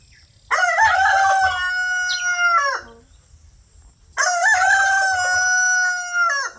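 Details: A free-range pastured rooster on a backyard homestead crows twice, about three and a half seconds apart. Each crow is a loud, bright, sustained cry of roughly two seconds, held level and then falling away at the end. There is a quiet pause between the two.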